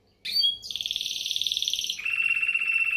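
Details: Timbrado canary singing: a few short high notes, then a fast, evenly pulsed trill held at a high pitch for over a second, dropping abruptly into a lower rolling trill that continues to the end.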